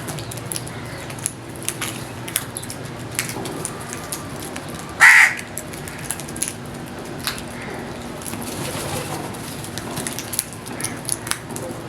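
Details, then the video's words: Crow giving a single loud, harsh caw midway through, standing out sharply against a quiet background of faint chirps and soft rustling. "All types of Crows Sounds"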